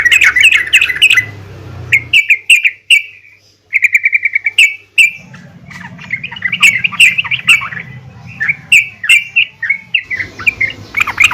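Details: A female yellow-vented bulbul calling the male, used to encourage bulbuls to sing; uneven strings of short, bright chirps and chatters, some quick trill-like runs, with faint low background hum.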